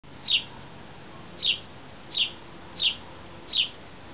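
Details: Sparrow giving five short, bright chirps spaced about a second apart against a quiet background.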